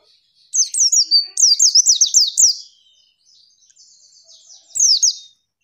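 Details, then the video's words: Female white-eye call to goad males into singing: a rapid series of high, downslurred chirps lasting about two seconds, a quiet gap of faint chatter, then a short final burst. "pleci manggil lawan bikin lawan emosi"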